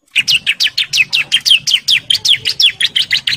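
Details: Male bar-winged prinia, in breeding condition and calling females, pours out a steady rapid series of downslurred chirps, nearly five per second, loud and unbroken.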